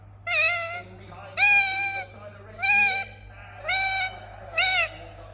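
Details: Pet Indian ringneck parakeet calling in a series of five loud, harsh, flat squawks, roughly one per second, with softer chatter between them and a steady low hum.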